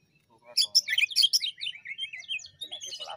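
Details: Cucak ijo (greater green leafbird) from Banyuwangi, lure song with ngentrok jamtrok phrasing: loud tumbling high whistles and chirps, several notes a second, easing into softer twittering.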